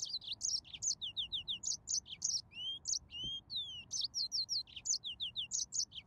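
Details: Song of a yellow-fronted canary, a lively stream of high chirps in quick phrases broken by a few drawn-out rising whistles near the middle, with a single soft knock heard once.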